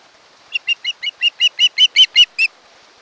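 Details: Osprey from a mated pair at its nest on Kent Island, Maryland, on a nest camera, 1 August 2018: a run of about eleven short, high chirps, each louder than the last, roughly six per second, then stopping.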